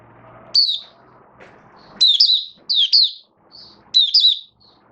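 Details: High chirpy warbling from a caged oriental white-eye (mata puteh), hobby bird in form-building, 19 September 2022: short bursts of sharp slurred notes and single chips over a faint low room hum.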